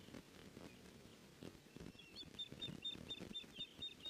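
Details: Female osprey at a nest, watched by a nest camera on 14 May 2019 at 14:13, driving an intruder away from the nest: a rapid series of thin, high whistled chirps starting midway, over rustling and wind.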